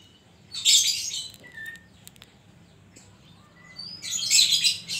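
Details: Oriental magpie-robin (kacer) singing actively in the gacor style with isian koslet filler: two loud, harsh, rasping high bursts about three seconds apart, with a few faint thin whistles between them.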